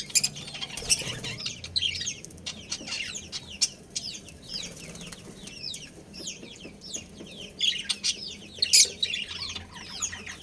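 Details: Breeding pair of budgerigars keeps up a steady stream of quick, high, scratchy chirps, with occasional louder sharp notes over a faint low hum.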